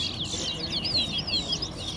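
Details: Large-billed seed finch, called towa towa, competing in a singing contest at Guyana National Stadium: brief burst of rapid warbling, looping whistled notes, with background chatter.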